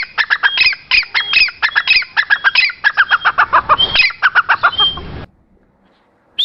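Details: Gora teetar, the grey francolin, calling in a fast, strident sequence of sharp repeated notes, several per second, stopping abruptly after about five seconds into near silence.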